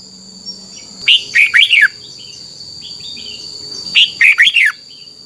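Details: A red-whiskered bulbul from Thailand, in a recording meant to be played to caged birds so they copy the song, gives two bright, bubbling phrases of four rich, rising-and-falling whistled notes about three seconds apart, over a faint steady hiss.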